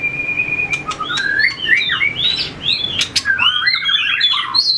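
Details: Competitive singing from a White-rumped shama in training, tail-flicking: a steady held whistle opens, then a rush of looping, bending whistled notes and warbles with a couple of sharp clicks.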